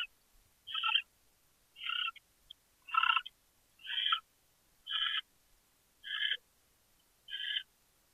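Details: A captive owl named Dale gives cute, harsh, raspy chittering bursts, each about a third of a second, repeated roughly once a second; Chula Vista, California, 5:43 PM, 23 January 2013.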